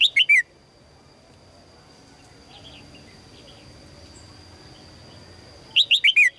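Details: Female red-whiskered bulbul calling to attract a strong male: a quick phrase of four bright, falling chirps opens, faint soft notes follow in a quiet pause, then another four-note descending burst near the end over a steady high whine.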